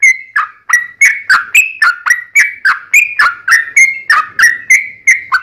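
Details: Sooty-headed bulbul song used to call in other bulbuls: brisk, regular series of rich whistles, each dropping slightly, about three to four per second, clean and uninterrupted.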